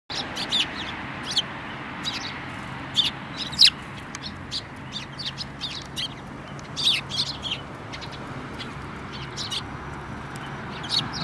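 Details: Several sparrows, including one with a yellow beak, recorded 24 February 2018: short, sharp high chirps scattered irregularly, some in quick pairs, over a steady low background hum.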